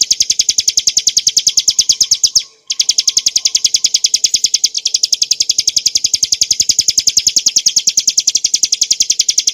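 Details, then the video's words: Bar-winged prinia, race montana, in its clear ngebren song for training caged birds: a long rattle of sharp high notes at a quick even pace, cut by one short gap near the start. "kicauan burung ciblek gurun untuk masteran & pancingan - suara jernih ngebren nembak"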